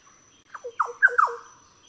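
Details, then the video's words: Green Oriole giving four quick, liquid downslurred notes, each dropping steeply and growing louder through the short series, with a faint steady high hum behind. "Green Oriole"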